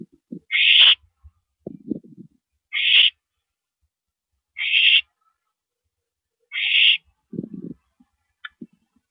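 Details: Owl during a mouse delivery on the night of 13 April 2012, 9:17 PM: rasping screeches repeated every couple of seconds, mixed with low scratching, shuffling and tapping noises.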